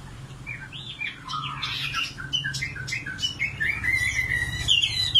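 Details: Singing nightingale starting softly with scattered chirps and short whistles, building to louder clear whistled notes and quick trills toward the end; low background hum.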